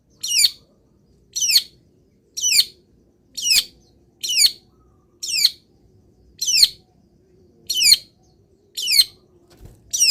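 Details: Long-tailed shrike kept caged, misted and sunned in the morning, delivers a sharp, high, descending rasping note repeated about once a second in a regular series, clean background.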